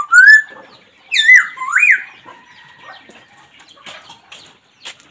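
Black Laughingthrush giving three loud, rich whistled notes that swoop upward, followed by softer scattered clicks and rustling.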